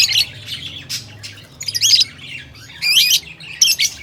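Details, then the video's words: Lovebird calls: shrill, high squawks and rapid chattering chirps in short bursts separated by quiet gaps, with a low steady hum underneath. "Love birds beautiful voice"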